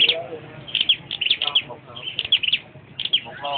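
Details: A perched flowerpecker gives bright, high chips and quick twittering runs in separate bursts, while faint human voices murmur underneath.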